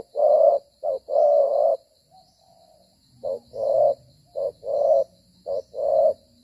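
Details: Spotted dove decoy bird during dove trapping, cooing while moving and fighting; low hollow coos around 500–700, a short note then a long one, repeated in pairs with a brief pause, steady faint high hiss behind.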